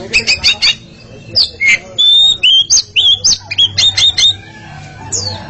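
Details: A pair of Oriental magpie-robins singing against each other in a duel: rapid bursts of clear whistled notes and harsh chattering, quick rising and falling phrases, short pauses between bursts, a faint low hum beneath.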